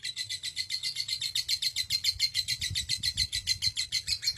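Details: Caged lovebird giving a long ngekek trill, the kind prized for song contests and used as a tutor for other songbirds: a continuous, rapid chattering of high notes, steady for the whole stretch, with faint low room noise.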